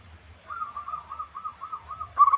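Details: Zebra dove song, played to provoke other doves into answering: a soft wavering cooing tone rolling in about seven pulses, ending in a sharper louder note.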